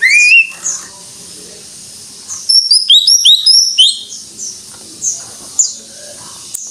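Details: Greater green leafbird (cucak ijo) in gacor style: one loud rising whistle, a quick cluster of high twittered notes, then sparse thin high chips across quiet gaps.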